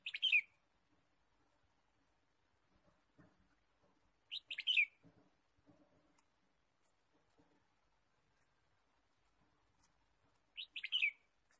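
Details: Chirping red-whiskered bulbul in a forest where birds were being trapped, 23 March 2017: three sharp, bright bursts of two or three quick notes, spaced about five seconds apart, with faint low clicks and rustling between.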